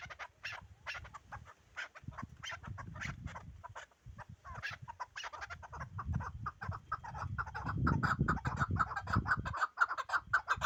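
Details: Pamir chukar partridge clucking in quick uneven chuck notes over heavy low rumbling noise, the calls becoming louder and more continuous in the final seconds.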